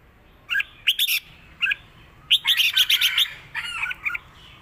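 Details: Red-whiskered bulbul delivering a southern Thai song pattern for training birds: scattered chirps, then a dense rapid burst of bright warbled notes, then softer calls, over low steady noise.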